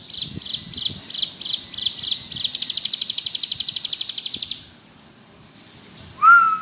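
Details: Vigorous ngebrem song of a bar-winged prinia: repeated sharp, high chirps accelerate into a rapid buzzing trill. Quiet pauses follow, then a short, clear, lower whistle at the end.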